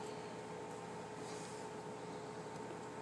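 Only steady indoor mechanical hum and broadband fan-like noise, with no animal voices.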